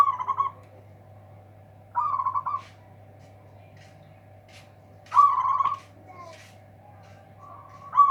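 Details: Local zebra dove with a big, loud voice meant to overwhelm rivals: three bursts of rapid, throaty cooing phrases, each under a second and spaced about three seconds apart, over a steady electrical hum.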